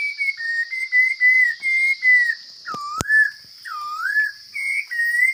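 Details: Wild Chinese hwamei singing in a strong voice: short clear whistles, then deeper looping whistled notes, with one sharp click midway and a constant high hiss behind.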